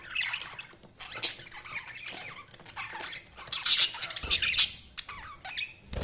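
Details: Budgies chirping and chattering, a busy mix of short warbled notes, squeaks and sharper high chirps, with some louder bursts toward the end and faint rustling.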